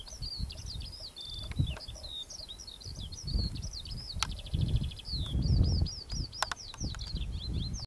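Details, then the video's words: Eurasian skylark singing in flight, seeming to twitter in rhythm with its wingbeats: continuous high rapid warble of trills and chirps over low wind rumble. Eurasian skylark song. "Feldlerche im Flug mit Gesang"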